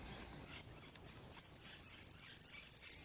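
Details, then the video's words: Goldfinch of the European species singing repique: a series of spaced, high, clipped chips, then a few downslurred notes running into a fast, buzzing high trill that closes with a falling note. "jilguero de repique"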